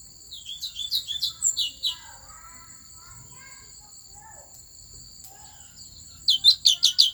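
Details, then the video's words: Asian fairy-bluebird of Vietnam's Central Highlands forest, singing to excite other birds: a quick series of bright chirps for two seconds, a lull with soft scattered notes, then a loud closing flurry of sharp whistles. "Tiếng Chim Thanh Tước Chuẩn rừng Tây Nguyên kích Lên Lửa"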